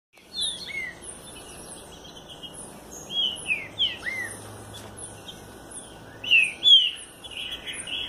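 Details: Green-winged saltator of the southern form singing: loud, slurred whistled phrases that sweep down and up, given in separate bursts with short pauses, over faint high chirps and a low steady background hum.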